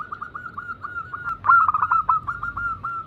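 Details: Several caged zebra doves coo together in a lure recording meant to spur other doves to sing. Rapid bubbly notes repeat at a steady mid pitch, overlapping into a louder dense cluster partway through.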